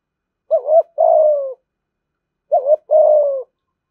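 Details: Two evenly spaced thúc gù phrases from a caged spotted dove. Each is a short wavering coo leading into a longer, soft, gradually falling coo.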